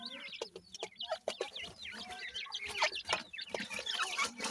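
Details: Grey francolin chicks feeding, calling in a fast run of high, wavering peeps, roughly three per second, layered from several birds with sharp pecking clicks.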